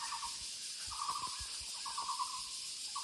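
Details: In woodland, a Muller's barbet gives three bursts of quick, rattling, hollow notes about a second apart, with a constant shrill insect hum behind and a few soft low knocks.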